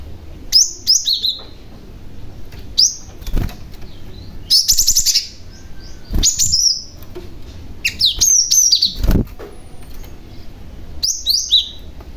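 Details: Male cinereous tit calling as a lure for other tits. Repeated groups of high, falling chirps alternate with sharp broadband clicks and fluttering bursts, possibly wingbeats or cage movement.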